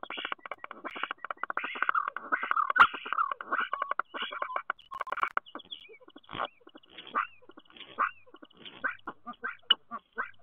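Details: Common starling singing at a nest box in Théding, France, on 10 March 2023: dense rattling click trains and buzzy, grating phrases in fast bursts, then scattered sharp clicks and short squeaky notes toward the end.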